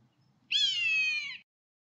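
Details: A common buzzard, the UK's most common bird of prey, gives a single drawn-out, cat-like mewing call, high and slightly falling, lasting just under a second, over a faint low rumble.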